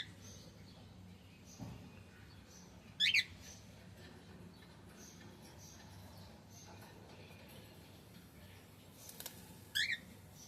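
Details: Male cockatiel making two short, shrill, rising chirps about seven seconds apart. A quiet room and low background noise fill the gaps between them.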